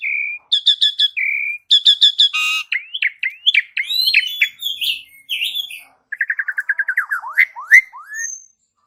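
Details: Asian pied starling song meant to lure a caged bird into singing: steady whistles alternate with clusters of bright ringing notes, a harsh burst, looping slurred whistles, then a rapid stuttering series and a sharp upward sweep.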